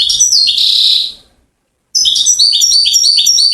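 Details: European goldfinch, a Moroccan singer from Settat hailed as king of goldfinches, giving a buzzy nasal phrase, a half-second pause, then a quick string of bright, ringing twitters.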